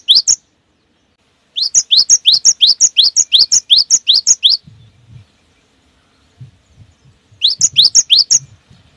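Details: Cinereous tit lure song with long rolling runs and fast close phrases: two opening notes, then a long string of about sixteen upslurred whistles, a pause with soft low thumps, and a final shorter burst.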